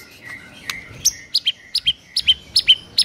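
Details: Morning masteran song of a white-rumped shama, meant to provoke rival birds: a soft whistle, then a steady series of sharp, high, paired chip notes repeated more than twice per second.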